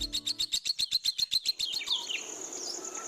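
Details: Golden white-rumped shama singing while being sunned in the morning: a fast burst of about fourteen sharp, high, evenly spaced notes in under two seconds, then softer, trailing high whistles.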